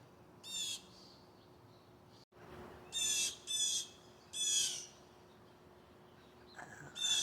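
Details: Blue jays give harsh, scratchy jeering calls in five short bursts over about seven seconds, aggressively mobbing a raptor (possibly a peregrine falcon), perhaps defending a nearby nest, with a faint steady hum behind.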